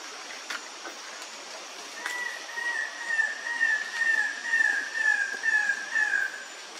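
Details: King bird-of-paradise at Malayauw, Papua, August 2024, calling: a few sharp clicks, then a drawn-out, thin whine that sags slightly in pitch and throbs about twice a second for four seconds.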